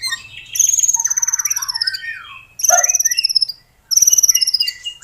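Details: White-rumped shama song played to prompt a captive bird to sing: three loud, clear, high whistled phrases, each a drawn-out whistle over fast trilled notes, separated by short pauses.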